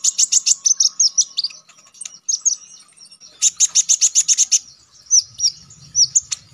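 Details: Konin songbird used as a training song for contest birds, giving loud rapid bursts of high staccato chips alternating with short downslurred whistles. A low rumble is heard near the end.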